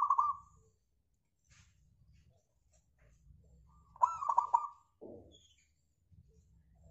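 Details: Local zebra dove singing as a lure for other birds: a short coo at the start, then one full phrase of rolled cooing notes, with a brief lower rough sound afterward and soft background hum.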